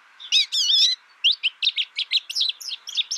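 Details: American Goldfinch song: a burst of twittering, wavering notes followed by a quick run of about a dozen high, sweet chips and slurs.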